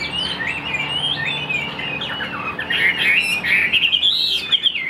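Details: Caged Chinese hwamei kept as a songbird, singing a varied run of slurred whistles and rapid trills, the phrases rising and falling, growing louder and denser toward the end, with a faint steady hum underneath.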